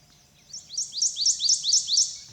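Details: Prothonotary warbler (golden swamp warbler) in summer in swamp forest at Great Dismal Swamp National Wildlife Refuge, singing a loud, ringing series of about seven sharp, high upslurred notes, repeated quickly and evenly.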